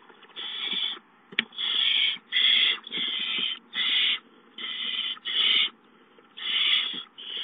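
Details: As a mouse is brought, barn owl owlets produce repeated rasping hisses of about half a second each over a faint background hiss.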